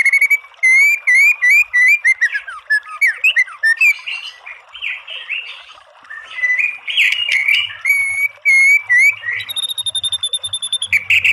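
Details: Shama masteran recording meant to make a bird answer: repeated looping whistles, harsh buzzy phrases, then a steady high rattle and further whistled motifs, loud and rapid throughout.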